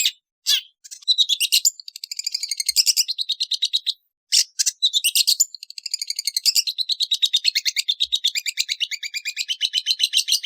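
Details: Long-tailed shrike delivering a long, fast, rambling warble of scratchy, chattering notes, interrupted by a few loud harsh rasps, without break for most of ten seconds.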